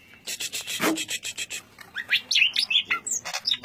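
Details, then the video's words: Greater green leafbird singing in the dense ngentrok style: a rapid, unbroken stream of sharp chirps and buzzy notes, ending in quick high whistled slurs that jump up and down. "Suara burung cucak ijo ngentrok suara rapat"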